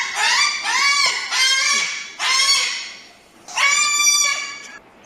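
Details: Crested cockatoo giving four long, grating screeches, each about half a second, with short gaps between them. The fourth is the longest and trails off.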